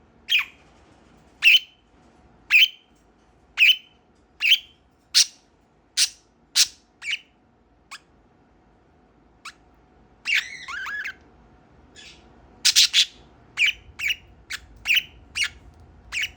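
A budgerigar gives a run of sharp, bright chirps, then a warbled chatter and more quick calls.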